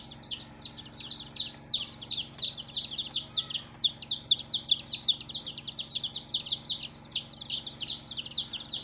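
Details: A group of coloured baby chicks peeping constantly, with shrill descending chirps crowding over one another in rapid, uneven succession and a steady low background hum.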